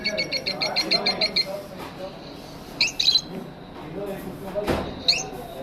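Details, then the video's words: A lovebird in an aviary gives a quick string of about ten rhythmic chirps, followed by isolated squeaks over a low, room-like murmur. "Lovebird Singing & Chirping Sounds | love birds sounds"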